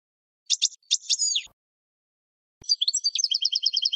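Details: Goldfinch song used for training other birds: a few sharp tinkling notes and a sliding twitter, a pause, then a fast buzzy rattling trill, all high-pitched.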